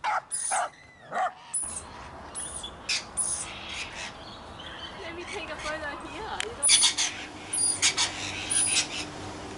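Scarlet macaws give harsh, raspy squawks in short irregular bursts, about one a second, with some murmured human voices in the background.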